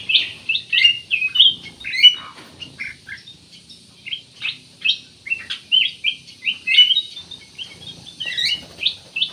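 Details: Chattering song of a black-naped oriole, used to coax other birds into singing: a steady series of short, bright, clipped notes, each roughly half a second apart, kept up with lively variety throughout.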